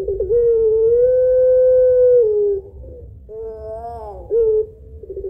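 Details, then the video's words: Barbary dove, puter pelung type, long-voiced lure coo ending in two notes: a brief pulsed opening, a long smooth level hum of about two seconds, a pause, then a higher swelling note and a clipped final accent. "PANCINGAN TERBARU PUTER PELUNG GACOR SUARA PANJANG KUWOK 2 NOT"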